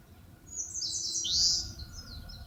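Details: Forest song of the eastern crowned warbler at Palbongsan, Seosan, Korea: a rapid series of high, sharp chirps climbing into a loud buzzy note that drops sharply in pitch, with faint low background noise.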